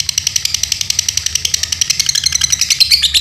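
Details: Pet Dunhil lovebird from Paduraksa, Pemalang, Central Java, Indonesia, giving a quick high trilled chatter of repeated buzzy ticks, ending with a few sharper whistled notes.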